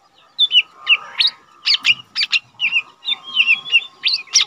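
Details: Untrained caged lesser green leafbird that sings often, recorded as tutor song for cage birds. After a short silence come bright whistled slurs and quick chip notes at a brisk, even pace, with a faint hum behind.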